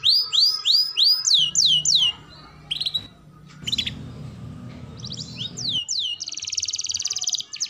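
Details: Training song of a canary for young birds: quick looping whistled sweeps at the start, a gap with low humming noise and a few faint notes, then a dense high trill at the end.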